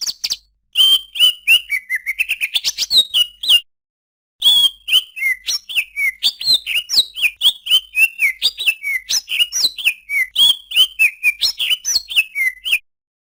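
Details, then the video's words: Song of a Greater green leafbird: fast, accelerating chips and sweeping notes, then a brief pause, then a long steady series of slurred, downward whistled phrases repeated in quick succession. "suara burung cucak ijo"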